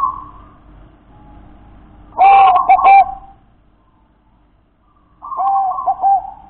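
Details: Zebra dove, a local wild-type bird, giving two short phrases of soft, rapid cooing notes with a few quick stutters, separated by a pause of about two seconds, over a faint steady hum.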